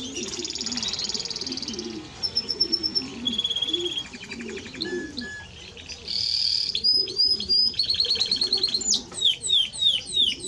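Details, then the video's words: Timbrado Español canary singing sustained trills, isolated whistled notes and a closing series of quick sweeping phrases, with a low background murmur. "Timbrado Español Canario song - Canario Cantado"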